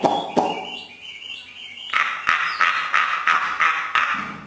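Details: Hwamei in training with a Northern Vietnam bird keeper, singing in the free 'hót thả' style: a harsh, rasping series of notes repeated about three times a second in the second half, with lower scratchy sounds before.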